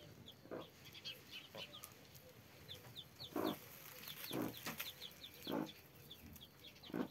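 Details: Mother hen with her 33 chicks, giving low, soft clucks about once a second while the chicks add scattered thin, high descending peeps between them.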